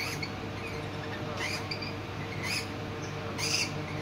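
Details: Rainbow lorikeet youngster being fed by its parent indoors at a Kent wildlife park, giving brief scratchy, buzzy squeaks roughly once a second against a constant low background hum.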